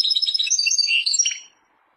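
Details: European goldfinch in Persia giving a short burst of rapid tinkling twitters that trails off into quiet within under two seconds.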